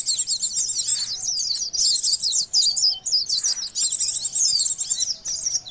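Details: Common iora lure call used to attract birds: dense, rapid high chirping and twittering notes sweeping up and down, nearly continuous with brief pauses, several voices overlapping.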